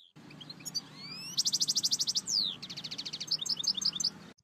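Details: European goldfinch song, for teaching a goldfinch. A thin rising whistle leads into a loud, rapid trill, then a long downward-sliding note, a pulsed buzzy stretch and spaced bright chirps over steady low hum.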